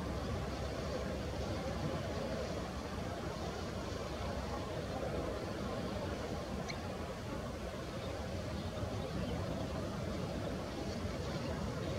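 Steady low rumble like wind or distant engine noise fills the recording, with no animal calls standing out.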